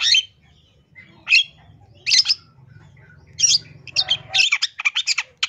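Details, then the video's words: Long-tailed shrike from East Java, a full song rich in mimicked phrases, used as a lure to draw other shrikes into singing: harsh scratchy notes spaced about a second apart, then a fast run of short clipped chips, with a low hum beneath. "CENDET JATIM SUARA FULL ISIAN MEWAH SANGAT COCOK BUAT MASTERAN PANCINGAN CENDET JENIS APAPUN"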